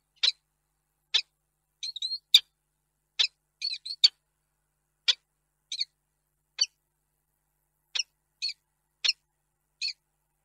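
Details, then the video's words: Male peregrine falcon in Reda, Poland, on 2 March 2022, wailing longingly for a female that did not arrive; harsh, clipped calls in irregular bursts roughly every half to one second, some doubled or stuttered, with no other clear sounds. "sokół wędrowny -Tęskne zawodzenie"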